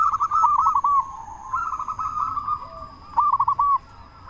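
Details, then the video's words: A local zebra dove with a strong voice coos to provoke other doves into replying; a rapid stuttered phrase, a softer blurred stretch, then another short crisp burst of coos. "Perkutut Lokal Gacor Suara Besar Pancingan Burung Perkutut Bikin Langsung Nyaut"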